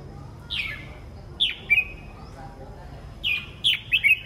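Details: Red-whiskered bulbul in the morning, giving short cheerful phrases of slurred, downward-sweeping whistles, repeated four times about a second apart, the later phrases fuller and more warbled, over a steady faint whine.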